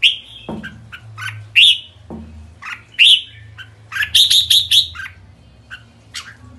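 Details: Red-whiskered bulbul giving its kekek call: sharp, bright chirps and short whistled notes, scattered at first, then a quick run of four or five similar notes near the end, over a faint low hum with two dull knocks.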